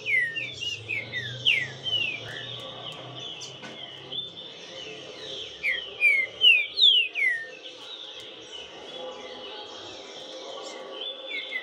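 Green-winged Saltator song: bursts of loud, clear whistled notes, each sliding sharply down or up, in phrases separated by pauses. A faint low hum sits underneath.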